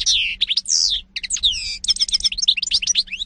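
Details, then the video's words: European goldfinch singing a rapid, liquid twitter of high swooping and trilled notes, varied and almost continuous, with a faint low hum behind. "-ΚΑΡΔΕΡΙΝΑ-Carduelis carduelis (European Goldfinch 2018)"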